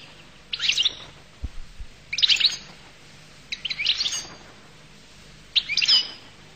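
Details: Goldfinch singing in short bursts of high twittering notes, four brief phrases spaced about one and a half seconds apart, with quiet pauses and a low hum between them.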